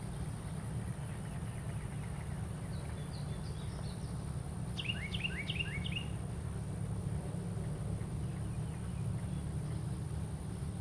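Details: Carolina wren calling: a short burst of about five quick repeated phrases, each dropping sharply in pitch, preceded by faint high twittering from another bird, with a steady low rumble underneath.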